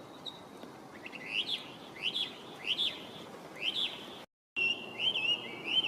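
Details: Introduced resident Chinese hwamei in song, 23 November 2025; a series of rising whistled notes about every 0.7 seconds, then after a short break a run of rapid warbling whistles.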